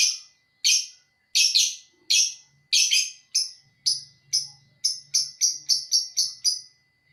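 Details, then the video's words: Lovebird chattering at length, a series of sharp high chirps, first spaced about a second apart then speeding into rapid repeated notes, with a faint low hum underneath. "Kurang 1 menit burung love birth mu bakal ngekek abisss"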